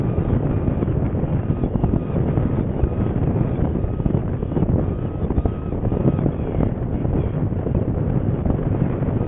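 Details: Heavy wind buffets the microphone with a loud, continuous low rumble and no animal calls.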